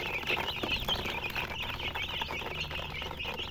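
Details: Colour chickens give high, wavering peeps and trilled chirps, several birds overlapping in a busy, continuous chorus, with light pattering and hum in the background.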